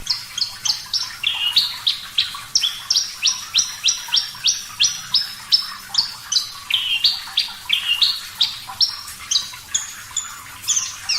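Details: Javan bush lark of the type called parva, singing steadily in a clear-voiced recording made for training caged birds: high, sharp chirped notes, many dropping or rising quickly, given about three per second in a long, lively run.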